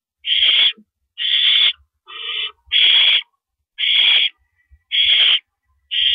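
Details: Owl nest at night, April 5, 2012, during a mouse delivery: seven coarse, hissing screeches about one per second, one shorter and thinner than the rest, over soft low knocks.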